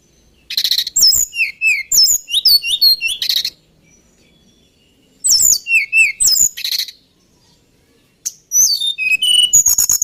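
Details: High, rapid song of a male White-browed Shortwing: three energetic bursts of varied whistles, twisting slurs and buzzy trills, each about three seconds long, with short silent gaps between.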